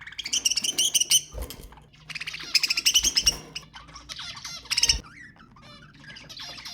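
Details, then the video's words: Budgerigar chatter played to stimulate mating: dense bursts of harmonic, buzzy warbling and squawks, loud runs around the first, third and fifth seconds separated by quieter, scratchy twittering, with a low steady hum underneath. "تحفيز البادجي على التزاوج أقوى أصوات طيور البادجي للتحفيز"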